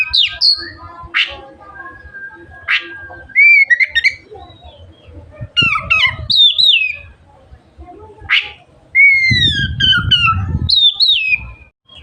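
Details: Oriental magpie-robin singing to stimulate other magpie-robins to open their tails; scattered whistled and slurred phrases with harsh notes, interrupted by a low rumbling noise near the end.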